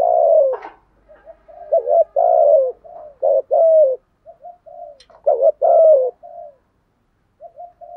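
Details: A spotted dove gives low, hoarse cooing phrases, each note sliding downward, in bursts about every second with short pauses; these are cooing and calling songs meant to stir a decoy bird.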